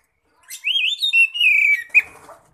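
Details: Oriental magpie-robin in ngeplong song, a lure for other magpie-robins: one sustained, ringing whistled phrase, wavering up then gliding down, ending with a sharp accented note and a soft buzzy trail.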